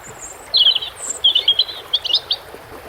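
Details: European robin song by water: a high, sweet warbling phrase of quick twittering notes and short trills, with a thin, very high note before it and running water hissing behind.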